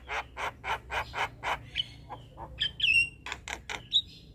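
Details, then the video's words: Male Javan myna singing, used as a lure to draw other mynas to respond: a run of harsh broadband rasping notes about twice a second, then whistled rising and falling notes and squeaky chatter, with faint low hum beneath. "Ocehan Jalak Kebo Jantan Ini Pasti Langsung Respon"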